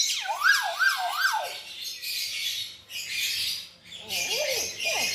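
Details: Hill myna singing as a lure sound for songbirds: three loud swooping whistles that rise and fall in quick succession, followed by dense, hissing, high chatter and a few lower swooping notes near the end.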